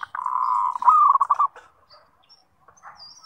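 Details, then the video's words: Zebra dove cooing used as a training lure for singing: a sustained purring coo, then a quick rattle of short bubbly notes that fades out, with faint chirps afterwards. "Pancingan Suara Perkutut MASTERAN Gacor Buat Harian Ampuh Melatih Bunyi"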